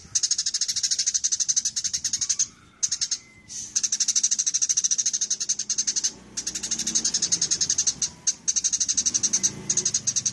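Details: Long aggressive bout from fighting Eurasian tree sparrows, in an almost continuous stream of fast, buzzy, rattling chirps with a few short breaks, over a soft low-pitched rumble.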